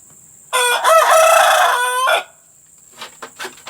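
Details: Rooster crowing, recorded as a lure to encourage hens to lay: one long, loud, harmonically rich crow lasting about a second and a half, followed by a few faint short clucks and a steady high hiss.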